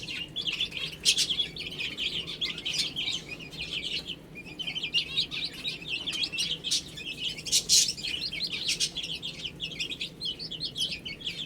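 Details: Baby chickens feed and drink amid a constant chorus of high, thin peeping from many chicks, with a few louder taps and clicks scattered throughout.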